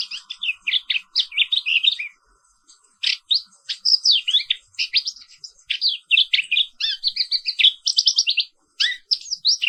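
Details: Black-capped white-eye (Zosterops atricapilla), an Indonesian endemic, in long continuous morning song: fast jumbled high twittering and slurred whistles, near-unbroken rolling phrases with short pauses.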